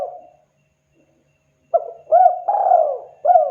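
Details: A spotted dove calling to draw a reply from other birds: the end of one coo, over a second of silence, then a fresh phrase of short coos around a long falling coo.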